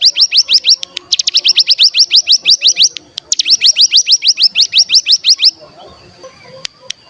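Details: Cigun (mountain tailorbird) in ngebren mode, used as a lure for keepers' birds: rapid series of upswept, bright notes repeated about three per second for over five seconds, then a faint steady tone and a few clicks.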